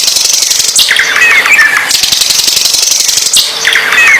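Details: Bird touted for its vigorous singing gives harsh buzzy high trills interspersed with brief chattering whistles, the phrase repeating roughly every two and a half seconds, with a steady low hum beneath.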